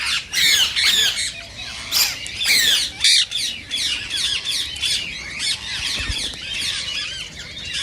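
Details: Rose-ringed parakeets calling to encourage mating: loud harsh screeches in bursts, including a few very loud shrieks, then a faster run of rasping squawks from several birds.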